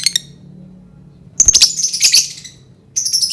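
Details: Lovebird sound for provoking other birds: a short squeak, quiet pause, then an extended burst of shrill, rapid twittering chatter and a final high burst.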